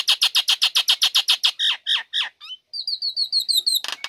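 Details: Female Nias hill myna, kept caged, singing to lure lazy birds into song: a fast series of harsh, buzzy notes about four per second, then slurred whistles and a run of short high chips.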